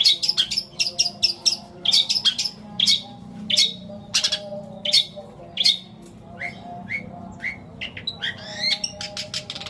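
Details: Long-tailed shrike singing long imitated passages of sparrow, petir and kuntilanak for luring silent shrikes; rapid stuttering chirps give way to spaced upslurred squeaks and rising whistles near the end, all high-pitched and clear.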